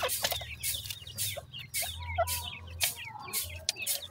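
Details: Many captive grey francolin chicks kept for sale in Multan give rapid, high, downslurred peeps that overlap constantly, with a steady low hum and soft knocks underneath.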